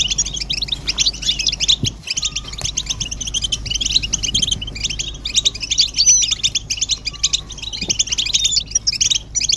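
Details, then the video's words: Group of European goldfinches twittering, mating and readiness calls used to rouse males to sing: fast overlapping high chirps and buzzy trills run continuously, with a brief dip near two seconds and a faint low hum. "بتبتة الحسون تحفيز الحسون على التغريد والهيجان علاج صمت الحسون goldfinch stimulation"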